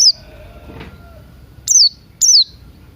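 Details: Buxton's white-eye in the morning, in a recording meant as a lure for singing, mixed with Crested Jay sounds: three isolated high, thin notes sliding downward, with a quiet stretch of faint noise between them.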